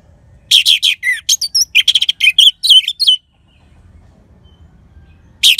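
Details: Lively orange-headed thrush song played to coax silent birds into singing: a dense burst of varied chirps, rapid clicks and twisting whistles lasting over two seconds, a pause, then another loud phrase begins.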